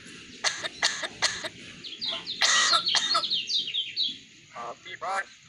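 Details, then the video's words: Hybrid myna imitating a cough: a run of harsh, broadband coughing bursts roughly every half second, followed by scratchy chattering notes and a few short rasps, over steady background hiss. "Jalak Hybrid Bisa Niru Suara Batuk"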